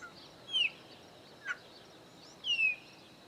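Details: Chopi blackbird at a Caatinga farm in the Bahia sertão, Brazil, three birds present: two clean descending whistles about two seconds apart, with a brief short note between them over a faint, steady background.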